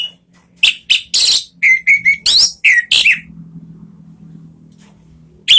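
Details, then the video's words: Orange-headed thrush lure song to prompt caged birds: a rapid series of loud whistled notes, some rising and some flat, over a steady low hum, followed by a quieter humming stretch. "SUARA BURUNG ANIS MERAH ¦ PANCINGAN NGEPLONG ¦ KICAUAN"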